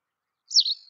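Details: White wagtail uttering one brief, high, slightly descending chirp with a short trailing tail, clear and isolated with no other sounds around it.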